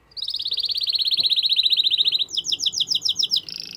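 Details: Canary singing strongly to stimulate the female to mate, a long fast trill of rapid buzzy notes sliding slightly downward, then a quicker higher rattling series and a brief high tone at the end.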